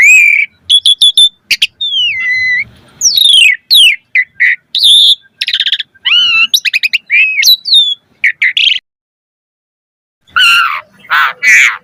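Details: Asian pied starling delivering a busy, varied song intended to make other birds answer: clicks, whistled slurs and buzzy notes in quick bursts, a two-second silence, then harsh grating calls.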